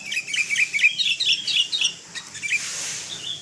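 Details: Sooty-headed bulbul of the kutilang kapas type, singing a full filler-phrase song used as a training master: rapid bright chirped notes, roughly two per second, warbling around a mid-high pitch, with a faint buzzy tail at the end.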